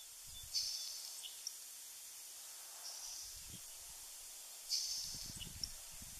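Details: Nelson's sparrow in a salt marsh in Nova Scotia in July gives two high, dry hissing songs about four seconds apart, each a sharp start trailing into a fading wheeze, over light wind rumble.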